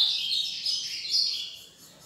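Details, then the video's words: An ultramarine grosbeak (azulão) delivers a fast song, a quick, high, run-together warble that stays bright and continuous for about two seconds, then fades. "AZULÃO MINEIRO CANTO RAPIDO"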